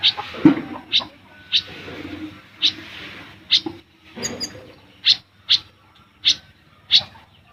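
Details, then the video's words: Caged olive-backed sunbird chirping in the besetan style used to train caged birds: sharp single high chirps spaced about half a second to a second apart over a low background hiss, with a brief higher trill midway. "Kolibri Ninja / Konin Gacor Full Besetan & Tembakan Rapat untuk Masteran ataupun Pancingan"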